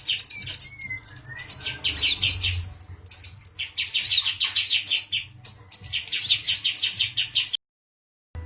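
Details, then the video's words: Emotional male brown-throated sunbird teasing a cucak jenggot bird sings energetic bursts of high chirps and trills in three long phrases. Silence follows, then a short final note. "Kicau Burung Kolibri Ninja Dada Coklat Jantan emosi menggoda Burung Cucak Jenggot"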